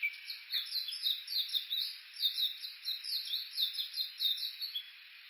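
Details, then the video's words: Japanese bush warbler recorded on a walk along the bush warbler road below Mount Yakushi, Kuka, Suo-Oshima, Japan, with an Olympus Voice-Trek V-82. Steady rhythmic high chattering notes, evenly repeated about three times a second throughout. "original sound ウグイス"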